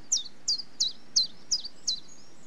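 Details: Six crisp, high chiffchaff notes, each a quick falling slur, spaced about a third of a second apart in the common chiffchaff's monotonous song.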